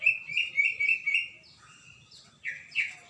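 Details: Vigorous song from a greater green leafbird, 21 December 2024: a sustained rippling high whistle for over a second, a brief softer gap, then two sharp downward-slurred notes.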